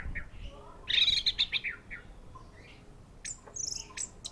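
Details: Orange-headed thrush, a caged bird, singing: a bright burst of rapid high notes near the start, scattered short whistles in the middle, then a second quick run of sharp high notes toward the end.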